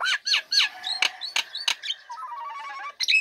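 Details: Female Nias hill myna, caged, singing steadily once its cage cover is opened, used to lure lazy birds into singing: loud rising and falling whistles, sharp clicks and a fast chattering run of short notes, then a final upward whistle.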